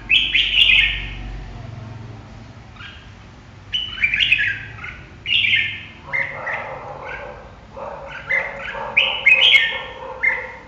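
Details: Red-whiskered bulbul singing short, bright warbled phrases in bursts, high whistled notes alternating with lower mellow syllables, a brief pause after the first phrase, then rapid varied phrases toward the end; faint low background hum.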